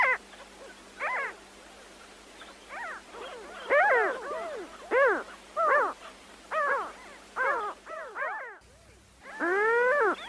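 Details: Seagulls give a series of about a dozen arched, yelping cries, some in quick pairs, each sweeping up then down, with a steady low hum underneath.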